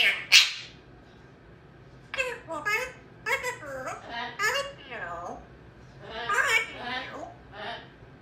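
An African grey parrot babbles in a high, baby-like voice, mimicking infant talk and giggles.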